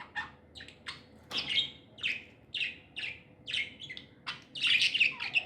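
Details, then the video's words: Happy pet budgerigars chirping, short bright chirps repeated about twice a second with a denser burst of overlapping chatter near the end; quiet indoor background. "Happy budgies chirping sounds"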